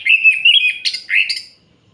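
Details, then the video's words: Brief orange-headed thrush night song, aimed at provoking other males: two quick warbled whistled phrases, slurring and fluttering, ending after about one and a half seconds. "Suara Ini Bikin Gerah Anis Merah Lain"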